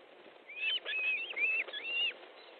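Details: Osprey at an Estonian nest, 13 July 2014, 19:30, fish delivery underway; a quick run of four clear whistled notes, each rising then falling, closely spaced and fairly loud over faint background noise.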